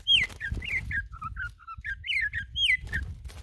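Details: Campo troupial, a strong singer of the free style, giving loud whistled phrases that slide down from high to mid pitch, several notes chained in quick succession, over a low background rumble.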